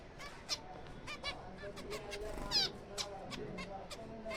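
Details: Breeding colony of zebra finches in April, quick clipped nasal calls and bright ringing chirps coming from several birds in loose succession, with a low steady background hum.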